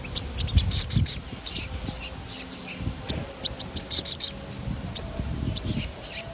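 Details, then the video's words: Sogon song meant to provoke other birds into singing: evenly spaced high, clipped chirps and short rattled bursts, with soft low rumbling underneath. "Suara ransangan bunyi sogon gacor ngerol"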